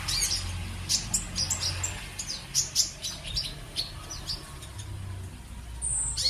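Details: Sunbird pouring out rapid high, thin twittering chirps in bursts, some notes sliding downward, ending with a brief high whistle, over a faint low hum.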